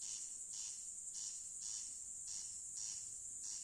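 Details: Nocturnal corn crake call: a few dry, rasping notes repeated at a steady pace, set against a continuous high-pitched insect drone.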